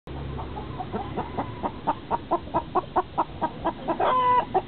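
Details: Many hens crowd the same nest boxes trying to lay, giving steady mid-pitched clucks about twice a second that build in strength, then a drawn-out higher tonal note near the end.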